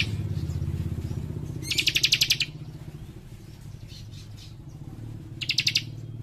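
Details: Young leaf warbler singing rapid dense phrases: two bursts of fast bright trilled chips against a loud low engine-like rumble.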